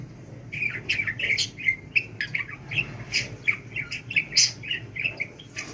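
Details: Domestic budgerigar in talk training, chattering rapidly and densely: buzzy, grating syllables mixed with thin squeaks, almost no pauses across the whole stretch.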